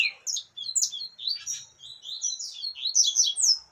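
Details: Female yellow-bellied seedeater calling to stimulate a male: a busy, continuous run of high chirps and short downslurred twitters, rapidly repeated for nearly four seconds with almost no pause, in a quiet indoor setting.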